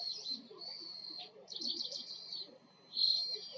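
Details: Oriental greenfinch in Japan, its song described as a buzzy 'biin': repeated buzzy, trilled high phrases with short gaps, over low background murmur.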